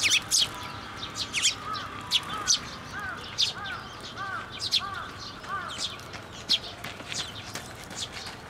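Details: Young Eurasian tree sparrows coming to a plum tree at a Tenmangu shrine to be fed, late May 2024: sharp high chirps scattered throughout, with a softer, lower arched note repeated about every half second from another bird.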